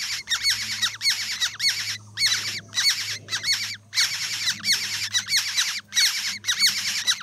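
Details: Loud, close Black-hooded oriole chicks begging as they are fed in the nest: strident, rasping squawks with ringing harmonics, delivered in rapid bursts nearly twice a second, separated by brief silences, over a faint low hum.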